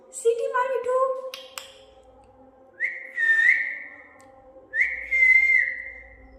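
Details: Pet parrot prompted by its owner in Hindi, who asks it to whistle; after the person's voice, the bird gives two sustained whistles about two seconds apart, each rising then levelling.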